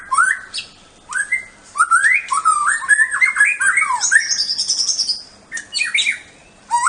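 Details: White-rumped shama of Bahorok origin singing in competition: varied rich whistled phrases rising and falling, a high sustained whistle midway, short pauses between bursts, recorded indoors.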